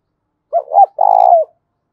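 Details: Single loud challenge phrase from a spotted dove, cu gáy thúc đấu: two short rising-falling coos lead into a long, slightly trembling coo that drops at the end.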